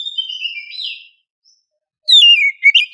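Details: Female oriental magpie-robin in heat calling a male, morning lure: a faint, drawn whistle, then silence, then a loud burst of sliding whistled notes.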